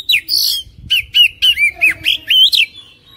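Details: Oriental magpie-robin song played to encourage a caged bird to sing: a harsh opening note followed by a lively sequence of looping, rising and falling whistles.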